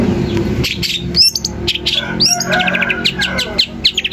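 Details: Long-tailed shrike song meant to make other shrikes react: mixed scratchy chatter and clear upslurred whistles, with a run of quick repeated high notes toward the end.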